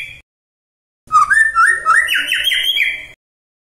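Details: Magpie-robin song meant to trigger a response from other magpie-robins; a two-second phrase of fast whistled notes stepping upward, rich and varied, after a short opening note.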